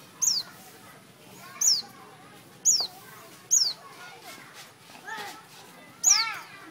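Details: Everett's white-eye calling in Thailand: five thin, very high notes, each dropping steeply in pitch, spaced about one to one and a half seconds apart, over fainter lower-pitched murmuring sounds in the background.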